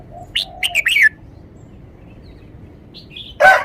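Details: Red-whiskered bulbul singing a clear, well-articulated phrase: a quick run of three or four bright, chirpy whistled notes sliding downward, then near silence before a brief burst of harsher, broader sound at the end.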